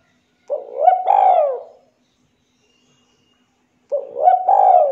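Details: Spotted dove cooing clearly: a low, hoarse cooing phrase with a short opening note followed by a longer rolling coo, repeated after a pause of about two seconds, with no other sounds.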